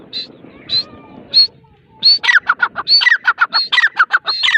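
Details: Grey francolin, female, gives three separate high piping notes over a low rumble. A rapid chattering series of downward-sliding squeaky notes follows, about 85 a minute.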